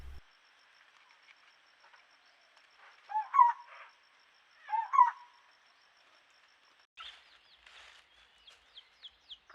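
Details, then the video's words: A lineated barbet, one of a regularly visiting pair at a forest pool in Huai Khayeng Nature Park, Thailand, in the March 2025 dry season, gives two mellow hollow notes; another bird's thin chirps follow. "And that's a lineated barbet you can hear."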